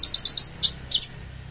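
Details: Javan bush lark singing in the free-flowing trotol style with fierce bursts: a quick run of four sharp, high chirps followed by two separate emphatic notes, over faint low background hum.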